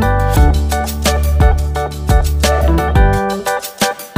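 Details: Loud rhythmic plucked guitar music with strummed chords and no animal sounds.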